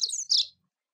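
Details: White-throated seedeater (Sporophila albogularis) sings two quick, high, bright chirping phrases, a song used to teach and train young birds; no other sounds.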